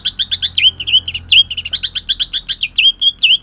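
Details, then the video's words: Song of a greater green leafbird from Kalimantan, rough style filled with shrike-like phrases: rapid, loud alternating chirps and upswept whistled notes, repeated several times per second without pause. "cucak ijo kalimantan tembakan kasar"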